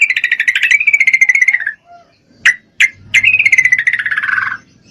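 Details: A female Yellow-vented Bulbul in breeding condition calls for a male: a rapid chattering trill that drifts slightly downward, two sharp single notes, then another falling chatter over a faint low hum.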